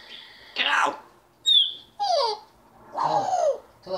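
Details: Pet African grey parrot indoors in a home, mimicking speech to tell the household dog to get out of the living room: several speech-like phrases in bursts, with a clear pure whistled note near the middle.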